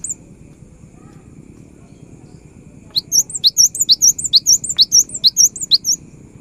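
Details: Quick cinereous tit phrase used to encourage silent birds to sing: after three seconds of background hiss, a fast run of high, curling whistled notes repeated at an even pace.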